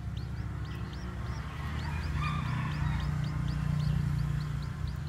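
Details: Newly hatched white bantam chicks with black tails peep as they walk about, a quick run of faint, high, hooked chirps about four per second, a muffled crow in the middle and a strong low rumble beneath.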